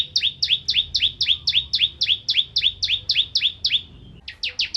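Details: Actively singing bar-winged prinia, the crystal prinia form, used to tutor magpie-robins: rapid high chirps, each a sharp note dropping into a rising one, repeated about four times a second, with a brief pause before the series resumes.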